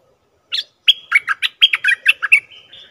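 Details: Bulbul call used as a lure for catching wild birds: a rapid series of about ten chattering, slurred notes, some rising and falling, ending in a thin drawn-out whistle. No other sounds.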